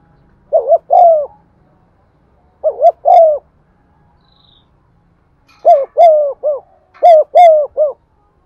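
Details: Lure spotted dove cooing to spur other doves: two single double-and-long phrases, then a quicker run of several linked coos near the end.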